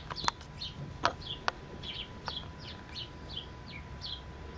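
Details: Sparrow song of quick downward-sweeping chirps in a loose series, mixed with several loud knocking clicks and low outdoor rumble.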